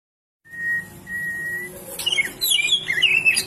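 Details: White-rumped shama singing, used for training songbirds: two long steady whistled notes, then a fast run of varied chirps, slurred whistles and trills in a high register.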